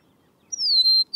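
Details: An Eastern Meadowlark (Sturnella magna) sings its whistling song: a clear, sweet whistle that slurs gently downward, then a second high note begins. The background is quiet.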